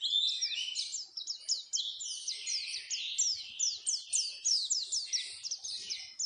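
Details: Oriental white-eye lure song for caged birds: a steady run of sharp, downslurred chirps repeated rapidly over a continuous high twittering background.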